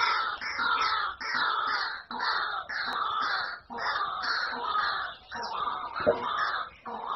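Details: White-breasted waterhen calling: loud, harsh, nasal croaking notes that rise and fall, repeated in a steady series about every second, each note broad and ringing, with no other clear sounds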